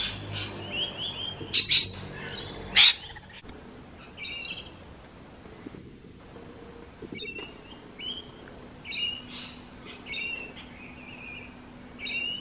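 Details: Rainbow lorikeet giving noisy calls: short, harsh, screechy notes at irregular intervals, with one loud shriek near the third second and scattered quieter squawks, over faint low background hum.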